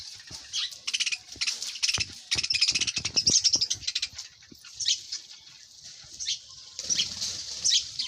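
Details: Rapid, high twittering chirps repeated in fast trains, with many birds calling over one another and a soft low background.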